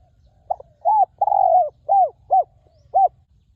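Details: Spotted dove calling wild at a ground decoy spot, voice praised as resonant and fine: a quick opening note, a bowed coo, a drawn-out descending coo, and three detached mellow coos spread over the final seconds.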